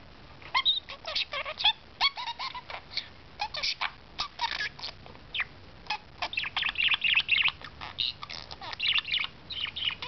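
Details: A pet talking budgerigar chatters continuously in fast, warbled, speech-like bursts with squeaky chirps and clicks over a steady background hiss.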